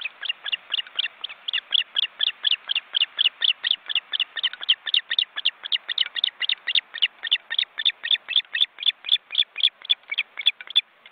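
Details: Osprey chicks, almost grown, in a nest watched by a live webcam in an Estonian forest reserve, flapping their wings beside two adults. Rapid, sharp, repeated chirps at about four per second, continuing steadily for eleven seconds.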